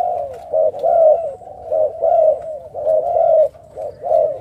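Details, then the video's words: Captive spotted doves in a breeding aviary in Ca Mau, Vietnam, recorded 6 September 2023. Low, mellow cooing phrases come in rhythmic runs of soft, throaty notes, repeated several times with short pauses between them. "chim cu gáy"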